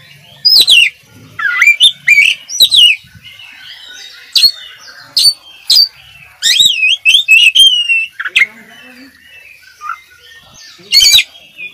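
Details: High, piercing notes and whistled slurs from an oriental magpie-robin in a master training recording, coming in scattered bursts with long quiet gaps between phrases.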